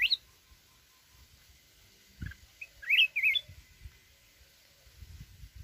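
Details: Red-whiskered bulbul of mountain origin with a forest-style song: an opening chirp, a pause, then a rapid warbled run of wavering whistled notes, with light low thumps behind.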